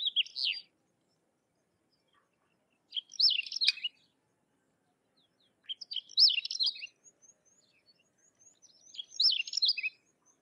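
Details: Sykes's lark delivering brief, bright phrases of jumbled high chirps and twitters about every three seconds, with faint thin whistled notes trailing after one phrase.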